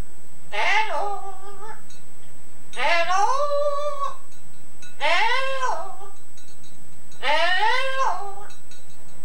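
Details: Yellow-naped amazon (Amazona auropalliata), a male pet parrot on a 15-year-old tape, mimics his owner's singing, Scouse accent included: four drawn-out, wavering sung notes, each about a second long, rising then sliding down, roughly every two seconds.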